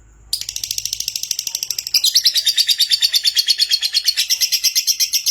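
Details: Gacor lovebird used as a lure for song: a long, fast, continuous chattering trill of shrill buzzy notes starting abruptly, getting louder after two seconds and running without a break.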